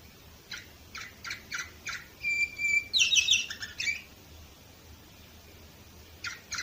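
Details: Canary from Varna, Bulgaria, 2018, singing a run of rapid chirps that leads into a sustained whistled note and a fast sparkling trill, followed by quiet and a few final chirps.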